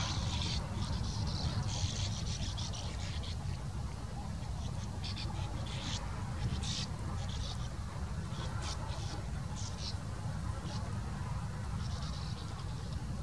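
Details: Sand martins (Riparia riparia) bustling at a breeding colony in the morning give dry, scratchy twitters in short bursts every second or so, over a heavy low rumble of wind or distant noise.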